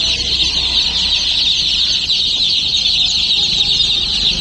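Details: Many baby chicks cheeping at once, a constant busy stream of high-pitched peeps blending into one shrill chorus with no breaks.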